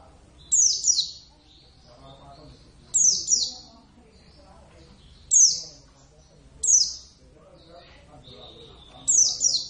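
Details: Caged Javan oriental white-eye (Zosterops palpebrosus javanus), a pet raised from a young bird, singing actively: thin, high, sharply falling chirp pairs repeated every two to three seconds, with soft murmured talk beneath.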